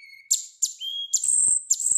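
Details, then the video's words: Hill blue flycatcher (teledekan) from Indonesia, a cagebird noted for its distinctive flute-like song, sings clear, high whistles in quick short phrases, some falling sharply, others held steady, with a couple of faint low knocks. "Burung teledekan juga bisa dijadikan pilihan burung kicau terbaik dengan karakteristik suara sulingan yang khas."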